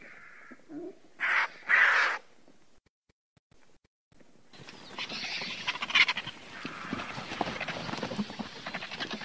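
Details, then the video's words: Griffon vulture giving two loud rasping hisses after a softer grunt, then a silence before a long stretch of rough, crackling chatter. "Sęp. Odgłosy Sępa. Dźwięki jakie wydają Sępy"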